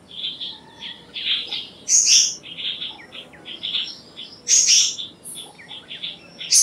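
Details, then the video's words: Black-naped monarch: soft, high chirps run steadily, broken by two loud, very high, rasping bursts a few seconds apart. "Black-naped Monarch Song! Black-naped Monarch Call! Black-naped Monarch Sound"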